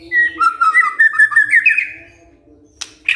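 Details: White-rumped shama provoked by a lure recording: a smooth, rising trill of clear whistled notes lasting about two seconds, then two sharp clicks.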